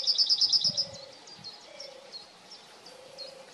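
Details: Yellowhammer with a burst of loud, rapid, high-pitched repeated notes at the start, followed by quieter scattered chirps. Soft low drawn-out tones sound in the background.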